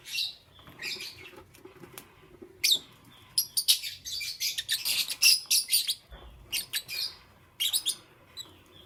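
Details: Green, yellow and lutino lovebirds chirping in the morning: a lively run of piercing, buzzy high chirps, densest in the middle, broken by short quiet spells, with scattered single squeaks toward the end.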